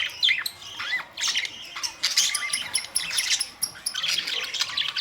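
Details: Budgerigars recorded May 2, 2023, chattering together: a busy mix of short high chirps, squeaky notes and warbled phrases overlapping irregularly, with brief quieter gaps between bursts.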